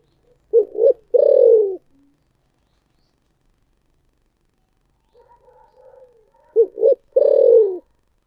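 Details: Spotted dove with the thổ sấm voice style, thúc gù: two coo phrases about six seconds apart, each two short throbbing notes and then a long, low coo that falls gently at the end. Faint softer cooing between the phrases.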